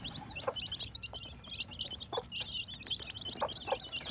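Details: Baby chicks hatching in spring 2021 chirp in a constant high, warbling chorus of short cheeps, with a few soft lower clucks and tapping sounds scattered through.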